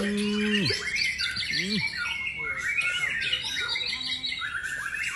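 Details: White-rumped shama called a champion, singing a busy stream of high chirps, trills and clear whistles, opening over a deep droning tone and brief low arched calls.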